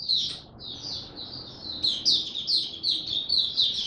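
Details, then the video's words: Oriental white-eye, a kept bird ramping up form, sings the 'buka tiong aw' style: a high chirp, then a softer warbled stretch rising into quick bright repeated twitters, with a steady low hum behind. "Mata Puteh Dagger ramp up form buka tiong aw sing"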